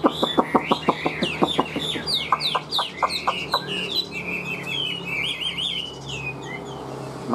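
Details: Caged Chinese hwamei standing out in the sun, opening with a fast run of sharp, dry clicks, then a stream of high, sweeping whistled slurs that rise and fall in quick succession.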